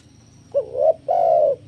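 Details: Spotted dove song played to lure and train doves: one phrase of a wavering rising coo followed by a long full coo, with a low hum in the background.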